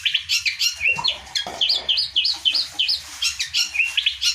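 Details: Song of a long-tailed shrike used to make other birds sing: quick bursts of harsh chatter give way to a run of looping whistled phrases repeated rapidly, some mimicking other birds.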